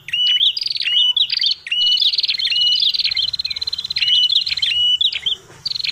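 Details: Red-headed prinia, a noisy visitor sound for luring: continuous dense run of buzzy rasps and sliding whistled notes, barely pausing across the whole stretch.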